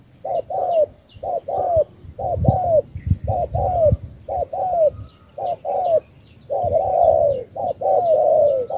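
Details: Spotted dove, Cà Mau, Vietnam, singing 'tú' style coos: rapid runs of paired short hooting notes and longer falling coos, densely repeated, with some low thumps and handling noise underneath.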